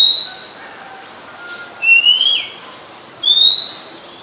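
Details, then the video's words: Oriental magpie-robin in Ubon Ratchathani, Thailand, singing on 17 July 2021: three bright upward-sliding whistles nearly two seconds apart, one bending downward at its end, with faint softer notes beneath. "นกกางเขนบ้าน Oriental Magpie Robin (singing)"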